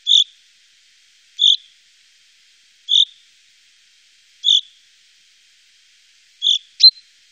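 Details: A common chaffinch, recorded in the Wittlicher Tal in 2018, repeats a brief sharp call note about every one and a half seconds, five times, followed by one thinner, clicking note at the end.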